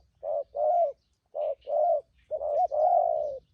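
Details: Wild-caught spotted dove used as a trapping decoy, cooing in the 'thúc gù' style. Three low, mellow coo pairs: a clipped note followed by a drawn-out, slightly wavering coo, the last pair run together.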